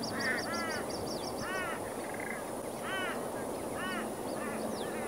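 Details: Plumed whistling ducks with young near Moggill, Queensland, Australia: arched, stacked whistles repeated roughly every second, with a quick run of high chipping notes from another bird at the start, over steady hiss.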